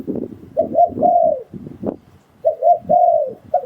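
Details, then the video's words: Lure recording of a spotted dove for trapping wild doves: two phrases of mellow, slightly falling coos, each made of short notes and then a longer note, with low rumbling and clicking noises between them. "Tiếng Chim Cu Gáy Dùng Để Đi Bẫy Gọi Bổi"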